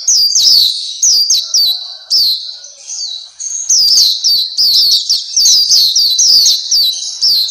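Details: Black-capped white-eye tutor song: rapid high, down-slurred chirps at the start, a quieter stretch in the middle, then a sustained run of bright twittering notes.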